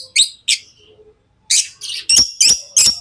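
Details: Tamed lovebirds: two sharp chirps, a short quiet pause, then a quickening string of loud, shrill, slightly buzzy chirps about three per second.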